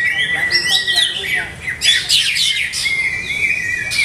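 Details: Captive greater green leafbird, still being conditioned by its keeper; slurred whistles and chatter, then a loud buzzy burst of harsh rapid notes, ending in drawn-out high whistles.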